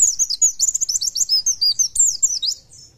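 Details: Energetic song of an Oriental white-eye: a fast, continuous stream of high, squeaky slurred notes, rising and falling in quick succession before fading out.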